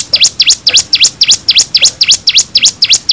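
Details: Bar-winged prinia lure song for drawing replies: a rapid, regular train of sharp V-shaped high chirps, about four per second, clear over a quiet background.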